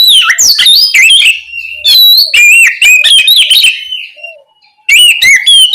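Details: Calling its companion, an Oriental magpie-robin, or kacer, pours out dense, loud whistled phrases mixed with harsh chattering notes, pausing briefly before a final burst of rising and falling whistles.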